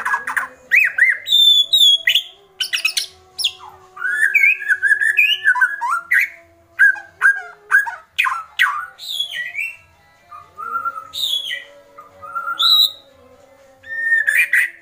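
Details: Loud, agitated White-rumped shama kretekan: long sequence of explosive harsh chatters alternating with clear slurred whistles and high piping notes, in bursts separated by short silences.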